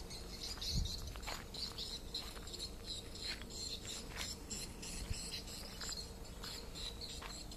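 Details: Swiftlet; distress call; distress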